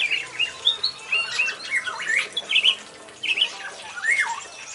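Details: A black-naped oriole from a pair that was net-caught in the wild and now sings actively in a semi-natural aviary gives fluty, slurred whistles mixed with harsh nasal squawks in irregular bursts of one or two per second, with faint background rustle.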